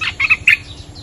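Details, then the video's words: Territorial bulbul reacting to a lure: clipped, bright chirps in two quick clusters separated by a short pause, over a low steady background hum. "เสียงนกดอกแตงEp.238 จ้าวถิ่นกระโดดใส่!! Suara pikat merbah lekir gacor"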